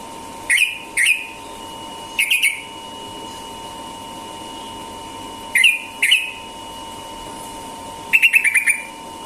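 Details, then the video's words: Sooty-headed bulbul singing rapid ropel-style song in the morning: short bursts of sharp chirping notes at irregular intervals with pauses between, over a steady electrical hum. "burung trucukan ropel pagi"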